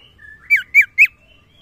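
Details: Common iora calling for a female: a faint, level whistle followed by three strong, buzzy notes, each sliding downward, evenly spaced about a quarter second apart.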